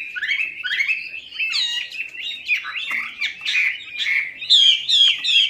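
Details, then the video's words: Chinese hwamei, melodious laughingthrush, in a lure recording for silent birds: lively run of varied whistles and warbles, closing with several sharp high downslurred notes. "PANCINGAN WAMBI MACET"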